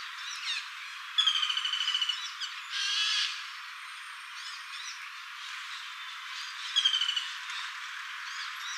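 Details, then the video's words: A female common flameback woodpecker in Singapore gives two fast, rattling trills of about ten harsh, nasal notes each, sweeping quickly down, with softer chips and a brief rustling burst between. "Calls of a female flameback woodpecker"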